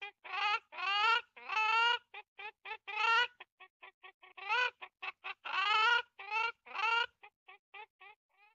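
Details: Chicken clucking in an excited, irregular burst: loud drawn-out harmonic cackles mixed with quick short clucks, tumbling in uneven groups with brief pauses.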